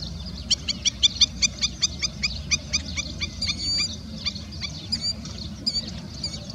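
Killdeer giving a rapid series of sharp, high notes, about four per second, then thinner rising whistled calls, over a low rumble of wind or distant traffic.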